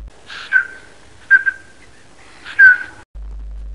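Black scoter giving three plaintive, drawn-out whistles about a second apart, each starting with a brief burst and then holding a steady, mellow pitch.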